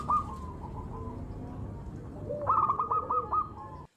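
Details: Lure zebra dove. A quiet cooing note is followed, after a noisy lull, by a quick staccato string of hollow, purring notes over steady background noise.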